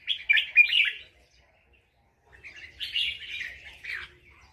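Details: Red-whiskered bulbul in nap dok song from Loei province, Thailand, gives two lively bursts of quick chirping, whistled notes. The bursts are separated by about a second of near silence.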